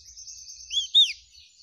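An oriental white-eye sings a thin, high twittering chatter broken by two quick, clear, arched whistled notes. There are no other notable sounds.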